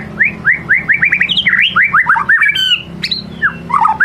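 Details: White-rumped shama in full song as a lure: quick run of repeated rising whistled notes, busy rolling phrases, a high ringing burst and scattered lower whistles over faint background hum.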